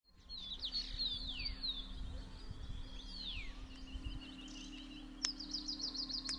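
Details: Rufous sibia at Landour in the Himalaya giving clear, sliding whistled notes, then a fast run of repeated high notes at the end, over a steady low hum and rumble.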